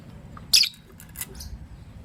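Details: Lovebirds, a green Personata and a pastel white, heard in the morning: one sharp, harsh, high-pitched chirp, then two fainter short chirps, over a low steady background hum.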